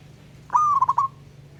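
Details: Local wild zebra dove summoning a rival, one crisp coo: a short sustained tone followed by three quick stuttering pulses, over a faint low hum.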